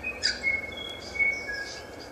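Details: Kaka (Nestor meridionalis) on day 1 of mirror exposure gives thin, high, steady whistled notes, with brief brighter chirps near the start and middle, over a soft hiss of background noise.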